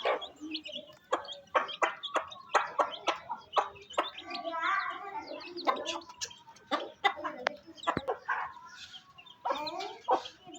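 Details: Mother hen feeding her chicks on a rainy day in a Pakistani village: low clucks come in short bursts among many sharp tapping clicks, with faint high peeps now and then.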